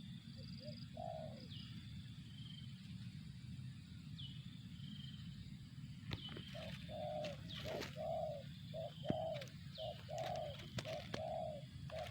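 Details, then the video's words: Spotted dove, called tekukur, giving a series of soft low coos, short notes and longer arched notes in uneven groups over the last half; a thin whistling bird and faint clicks above, steady low rumble beneath. "suara burung tekukur"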